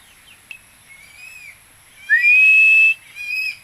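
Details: Philippine eagle during a hunt for a rail (tikling): faint whistled notes first, then one strong upslurred whistle held for about a second, trailed by a softer whistle and a steady high hiss.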